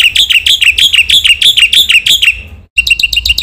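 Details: Energetic Black-winged myna masteran song meant to provoke other mynas: about eight loud, rich, downward-slurred whistles in steady sequence, a short gap, then a faster series of clipped chirps.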